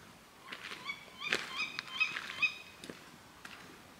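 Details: Tawny owl heard at night on 24 June on returning home, giving sharp, nasal, harmonic calls, several in quick, uneven succession over a few seconds, against a quiet background; viewers identify them as alarm calls.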